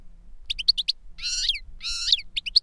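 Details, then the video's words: Adult goldfinch teaching a juvenile to sing: short chirps in quick clusters broken by two rasping, buzzy, downslurred wheezes, then more crisp notes, over quiet low noise. "Older GOLDFINCH SINGING to Teach Younger Goldfinch"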